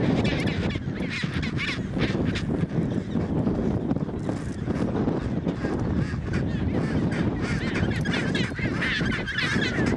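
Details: Chinstrap penguins mating in Antarctica; dense overlapping honking, braying calls from many birds at once, with a constant low rumbling background of wind or surf throughout.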